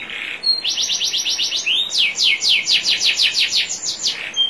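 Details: National champion canary singing on a training recording over clear trickling water: a soft note, a quick trill of falling sweeps, one rising glide, then a longer rapid series of high descending notes.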